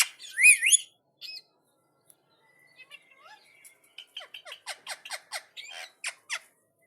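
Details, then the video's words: Talking Indian ringneck parakeet responding to another parrot: a loud wavering squawk, a pause with faint thin notes, then a string of about a dozen short sharp clicks and squeaks at a steady pace. "Ringneck Talking Parrot 🐦| Parrot Video| Parrot response to another Parrot| Parrot Talking"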